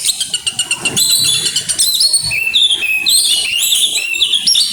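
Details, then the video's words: Oriental magpie-robin singing in grabakan style and bringing out isian fill-in phrases: rapid high trilled notes repeated about four per second, then sharp whistled rising and falling phrases with buzzy overtones, steady low background rumble. "burung kacer grabakan keluar isian"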